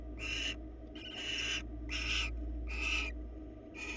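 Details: Barn owls filmed by a live webcam in Florida give five harsh, breathy hissing screeches, each about half a second long, coming in quick succession over a steady low electrical hum.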